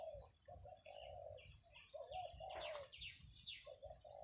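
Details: Zebra dove song in a rural rice-field setting, a run of soft low coos in clustered bursts, with scattered higher chirps and sweeping calls from other birds and a faint buzzing background.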